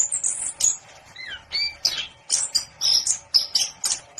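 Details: Orange-headed thrush singing high, thin whistles, a downslurred note and scratchy chips, over a faint steady hum.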